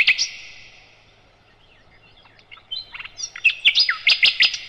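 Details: Nightingale, or sikatan londo, singing for a cage-bird master recording: a buzzy opening phrase fades into quiet, then soft slurred whistles build into a lively run of sharp, varied chirps.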